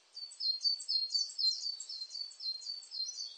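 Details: Coal tit in full song, continuous rapid high see-saw notes throughout, slightly blurred, with faint background hiss.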